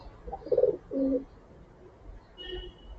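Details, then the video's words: Pigeons cooing softly while being fed grain by a person in the morning; two low, throaty coos around half a second each, followed by quiet background with a faint distant bird note. "अलग-अलग प्रकार की ध्वनि सुनने को मिल रही है। कभी धीमी गुटुगू तो कभी सावधानी की आवाज तो कभी मातृत्व की आवाज"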